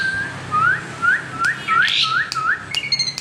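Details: Asian pied starling learning to imitate other birds: a series of six short rising whistled notes repeated about twice a second, with faint clicks and a low background hum.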